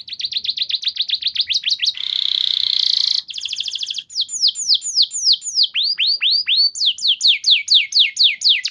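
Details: Canary singing a long lure song used to train other canaries, rapid trills of downward-sweeping high notes, a buzzy held note, then varied repeated slurred phrases.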